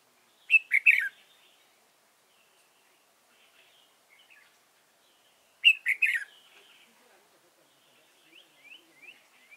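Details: Red-whiskered bulbul kept as a decoy for trapping, Dong Nai, 15 November 2017; two loud warbling three-note phrases five seconds apart, then a series of soft rising chirps.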